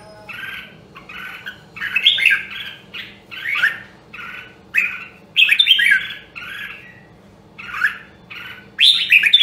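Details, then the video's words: Red-whiskered bulbul, rare Nam Đông Huế voice, heard in a voice training recording: a chain of short whistled and warbled phrases, each about half a second, growing louder and richer toward the end. "Luyện giọng Chào Mào Nam Đông Huế Hàng Hiếm Còn Sót Lại ! giọng cực chất"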